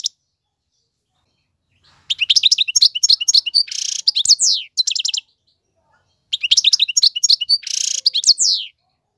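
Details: Male European goldfinch singing to tutor young birds: two bursts of rapid liquid twittering mixed with harsh buzzy notes and quick slurred chirps, separated by about two seconds of silence.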